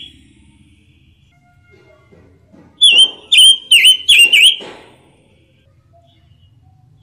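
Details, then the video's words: Red-billed leiothrix, or pancawarna, uttering a quick series of five ringing, sharply dipping whistled notes with bright overtones, surrounded by quiet background. "KICAU BURUNG PANCAWARNA || ROBIN BIRD VOICE"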